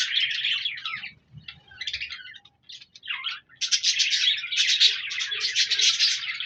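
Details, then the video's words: Budgerigars, colourful parakeets, recorded on 14 January 2024, giving dense bursts of scratchy, warbling chirps with brief pauses between runs of rapid chatter. "Budgies Birds Singing Chirping Sounds Parakeets sounds"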